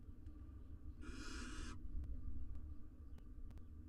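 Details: Wild barn owls, a male and female courting beside their four nestlings in a research nest box in Israel: one harsh, hissing screech lasting about three quarters of a second, over a low steady hum with faint clicks.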